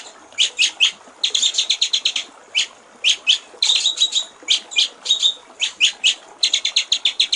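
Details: White-rumped shama singing in the clear 'gericik air' (trickling water) style, used as a master recording for training songbirds: rapid bursts of high, chattering trilled notes, separated by short pauses over quiet background hiss.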